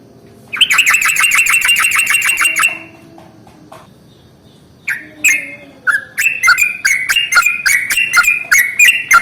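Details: Yellow-vented bulbul singing a long rolling morning song, used as a lure to get other bulbuls singing: a fast run of bright chattering notes, a pause, then bubbly rising-and-falling phrases, with a faint low hum underneath.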